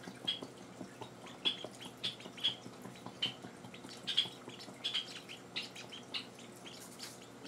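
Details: Java sparrow chicks kept at home, on their fourth day in the household, around hand-feeding time. Short, high chips sound at uneven intervals, roughly a dozen over seven seconds, over a soft rustling background.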